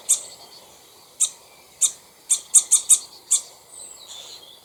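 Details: Common starling near its nest, alarm calling ahead of a raptor attack: sharp, high ticking notes, single then in a rapid run of four, followed by a thin fading whistle.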